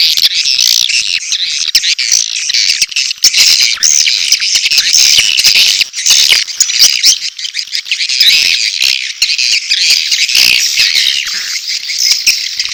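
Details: Courtship calls of swiftlets mixed with chick calls, a lure for a swiftlet house. Long stretch of dense, high, rasping twitters punctuated by quick clicks.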